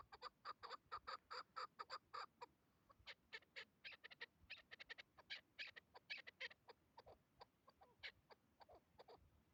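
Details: Hybrid chukar partridge calling during a hunt: rapid bursts of short, harsh, clucking notes, many in quick succession with irregular spacing, some loud and some softer, possibly more than one bird, over a quiet background.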